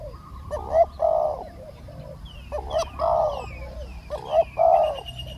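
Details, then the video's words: Spotted dove used as a decoy to lure a small-voiced wild dove that was slow to come down; three closely spaced phrases, each a short note followed by a longer burry coo, with thin high chirps behind. "เสียงนกเขาใหญ่ ต่อสด ต่อ นกเขาใหญ่"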